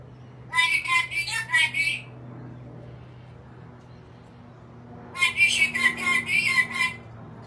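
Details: An angry black-capped lory lets out a rasping run of harsh screeches lasting over a second, falls silent over a steady low hum, then repeats a longer burst of grating cries.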